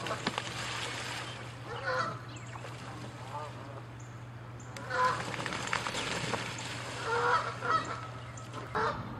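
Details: Canada geese fighting and chasing each other in a territorial dispute, giving loud nasal honks in bursts near the start, middle and end, over a steady low hum and background noise.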